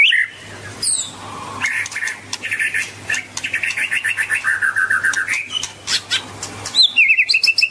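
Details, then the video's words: White-rumped shama song built from fast repeated trilled notes and chattering series, then a long even rattle and a closing bright whistled flourish, over a faint low hum. "Kicauan Merdu Burung Murai Batu"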